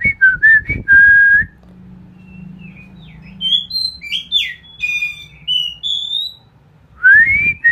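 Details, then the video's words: Ngeplong bird singing, used as training song for a magpie robin. Strong falling-then-level whistles lead into a string of short, high, sliding notes, ending on a rising whistle, over a faint low hum. "suara ngeplong"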